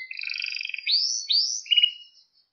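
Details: Short canary song phrase from a training recording for young canaries: a low beaded trill, two loud upward-sweeping whistles, and a quick closing warble.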